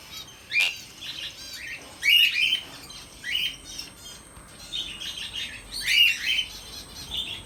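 Sun conure giving harsh, scratchy squawks and chattering chirps in quick bursts.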